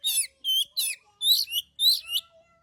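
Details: Close, loud oriental magpie-robin song used to provoke other birds into singing: six rich, buzzy, warbling phrases in quick succession, each a rasping burst with a ringing whistled edge, plus faint low whistles beneath.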